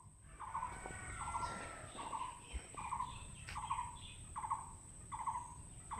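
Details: In a Bangladeshi village garden in Bagerhat, in the morning, a green, parrot-like bird in a treetop gives a low, hollow, dove-like hoot about every three-quarters of a second, over a constant high insect whine and faint background noise.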